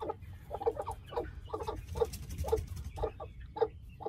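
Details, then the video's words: Aseel Heera hens sharing one wheat nest while hatching fancy golden buff eggs without an incubator give soft, regular clucks about twice a second over a low background rumble. "2 White aseel Hen Harvesting Eggs To Chicks In Same wheat Nest"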